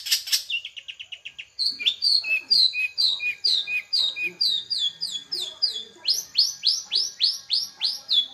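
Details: Long-tailed shrike in full, lively song: a buzzy opening burst and a rapid trill, then a steady series of sharp downslurred notes about three per second, ending in repeated bright upward-sweeping whistles.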